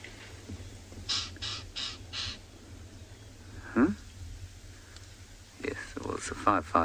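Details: A Lilac-breasted Roller at sunset, 26 June, in Tswalu Kalahari Reserve, South Africa, gives four harsh, rasping, crow-like shouting calls in quick succession; people talk over a low engine hum afterwards.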